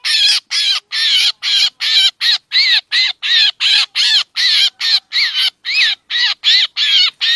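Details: Lure calls of a black drongo for trapping: a rapid, slightly uneven chain of about twenty loud, coarse squawks, some with a faint rising whistle inside, spaced a little under half a second apart.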